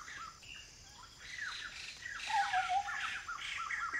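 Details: Blyth's paradise flycatcher, a migrant, in semi-evergreen community forest near Kulen National Park, Cambodia: rapid harsh, rasping call notes that grow louder midway, with a clear low whistle from another bird and faint insect buzzing.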